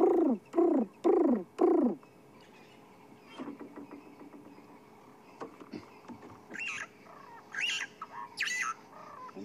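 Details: Dove in the African bush on a relaxed April 10 sunset-safari afternoon: four low, hollow coos about half a second apart, followed by brighter chirps and whistles from a singing starling.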